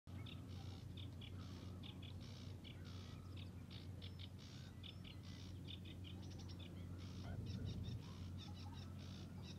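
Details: Sedge warbler singing in reeds at Hörningsholm, Alnö, Sweden, on 9 July 2021: faint, continuous chattering song of rapid repeated high notes and buzzy trills, heard over a steady low rumble.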